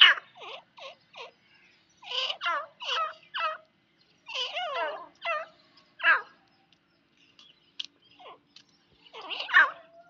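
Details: A female grey francolin gives harsh, chattering notes in quick bursts, some with rising and falling tones, broken by short pauses.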